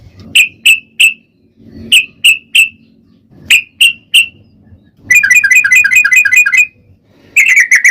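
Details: Sooty-headed bulbul lure song meant to make other bulbuls sing: sharp chirps in groups of two or three, then a fast rattling trill of even notes, ending with a few chattery calls; faint low hum behind.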